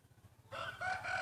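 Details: Start of a breeding rooster's crow in a crowing contest: a loud, rasping call bursts in after half a second of low background hum and is still sounding when the recording ends.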